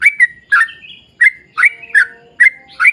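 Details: Short burst of sooty-headed bulbul 'ropel panjang' song used to lure bulbuls: about seven liquid, slurred notes, some trailing into a brief whistled tail.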